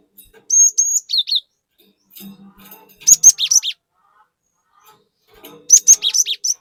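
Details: Cinereous tit singing with varied phrases, used as a lure to excite other tits: level high whistles then down-slurred notes, a soft low buzz, and two loud bursts of sharp chirps.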